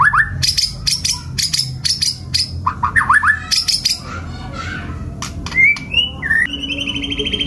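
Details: White-rumped shama, a competition bird of F5 class with a kasaran-filled repertoire, singing a varied run of sharp whistled notes, rapid chip series and rising slurred phrases, ending in a fast buzzy trill; faint background hum.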